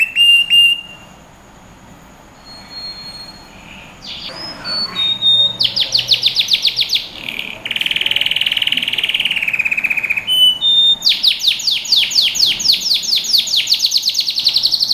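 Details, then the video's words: Canary singing on a training recording for young birds, starting with scattered short whistles and a quiet pause, then bursts of fast sweeping notes, a buzzy roll, and a long series of rapid descending sweeps. "Canary Singing | Melodies Canary Bird Song"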